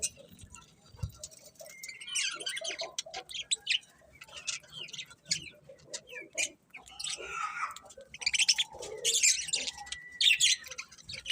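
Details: Colourful budgerigars make a mix of sharp clicks, short high chirps and a few thin whistles, scattered irregularly with quiet gaps between them.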